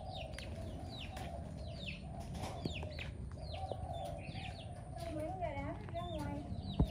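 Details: Young chickens learning to forage in a garden, pecking at the ground for seeds and insects; thin, high, downward-slurred peeps come irregularly over a low rumbling background, with human voices joining near the end.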